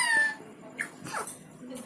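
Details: An Alexandrine parakeet, described as quarrelsome, gives a harsh, nasal squawk, then two or three quick raspy calls that slide downward, all within two seconds.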